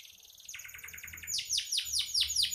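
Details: Domestic canary in strong, vigorous song used as a tutor recording for songbirds: a soft buzzy trill, then a fast rolling rattle, then loud sweeping notes that fall in pitch, repeated about three times a second.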